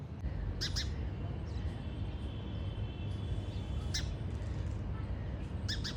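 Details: House sparrow, subspecies Passer domesticus indicus, locally called gauraiya, gives brief high chirps, a doubled one near the start and isolated ones later, against a constant low rumbling background.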